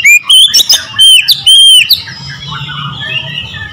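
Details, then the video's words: Short loud phrase from an Oriental magpie-robin, clear whistled notes and sharp chips in quick succession, then fading into faint low background hum. "PASTI CEPAT GACOR BUKA EKOR"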